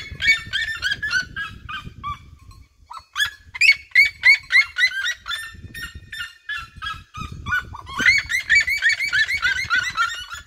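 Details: A flock of red-legged seriemas seen crossing regional grasslands surrounds the recordist while singing; series of sharp barking yelps, a brief pause near three seconds, then a renewed fast chorus of several birds, with low background rumble.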